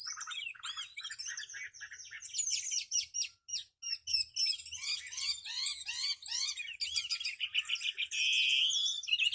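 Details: Chinese hwamei, a tame, large-bodied bird with a fanned tail, kept for singing competitions, delivers a rich, fast run of varied whistled and slurred phrases, rising and falling notes tumbling on in quick succession, ending in a sustained buzzy trill.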